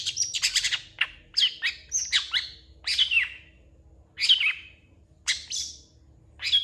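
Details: Long-tailed shrike singing actively with a song full of fill phrases; loud bursts of harsh, buzzy chirps and short rising and falling whistles, delivered in rapid clusters with brief pauses, over a faint low hum.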